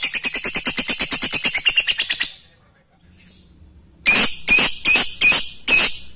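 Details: Lovebird giving its ngekek song: a rapid train of harsh, even chattering notes for two seconds, a near-silent gap, then five longer rasping screeches.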